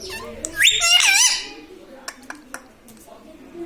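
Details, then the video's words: Pet parrot indoors, taught to say mummy and papa, gives a short burst of bright, bending, speech-like syllables early on, then falls quiet apart from a few sharp clicks and taps in a small room. "Mummy pappa talking parrot🦜🦜 || mithu hu mithu || मम्मी पापा बोलने वाला तोता"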